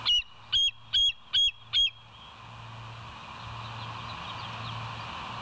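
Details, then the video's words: Bald eagle at the West End nest camera, 09/11/2023 at 02:31, gives five shrill piping notes in quick succession, about two a second, before steady hiss and a faint low hum take over. "West End Bald Eagles"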